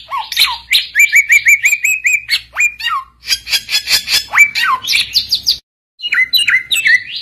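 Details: Oriental magpie-robin (samyong) in lively full song, used to provoke rival males into answering: varied whistled phrases, rapid repeated rising notes, harsh chattering bursts and sweeping slurs, loud and continuous with a brief pause near the end.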